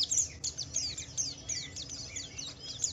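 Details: Javan white-eye in the ngalas, wiklus-wiksar style, a lively song meant to provoke other white-eyes into singing: rapid, high, thin twittering with quick descending whistled notes and chirps running continuously, faint low hum beneath.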